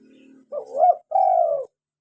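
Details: Cooing of a local spotted dove, meant as a lure and to stir caged doves into calling. A low hum fades, then a short rising note leads into a longer, smooth, slightly falling coo.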